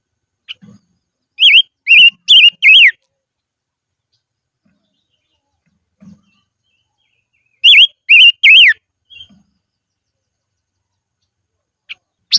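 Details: Decoy silver-eared mesia in the highlands singing two matching bursts six seconds apart. Each burst is four clear, warbling whistles in quick succession, with quiet pauses and faint low knocks between them.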